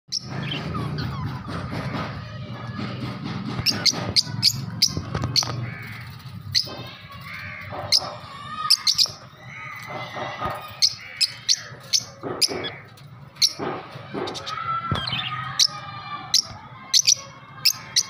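Budgerigars chatter with sharp chirps, clicks and warbling squeaks, busy and irregular.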